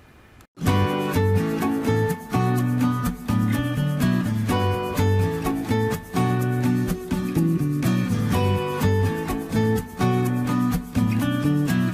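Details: Only instrumental music plays, with steady plucked, guitar-like notes and a low rhythmic beat, and no bird or other animal voice.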